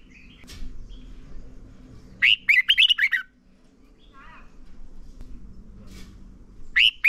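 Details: Caged red-whiskered bulbul singing a lure song for training other birds to sing. A bright run of rapid, looping whistled notes is followed by a soft warble and then the start of another loud phrase over a low background hum.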